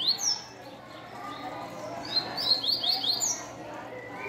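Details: Captive rusty-collared seedeaters, a black and a brown bird in a singing contest, heard around 8 a.m.: bright rapid chirps and short downslurred whistles, high and hurried, one answering the other, over a low hum and faint talk.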